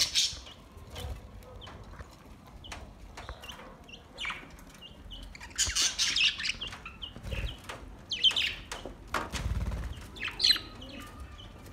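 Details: Budgies singing on August 4, 2023, a busy mix of short chirps, scratchy squawks and brief warbles, with wing flutters and low background rumble between bursts.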